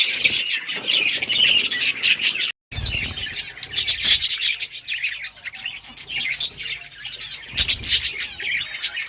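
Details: Budgies chirping while playing with each other: a dense, continuous chatter of high, scratchy chirps and warbles from several birds, with a brief gap near the start and occasional louder squeaks.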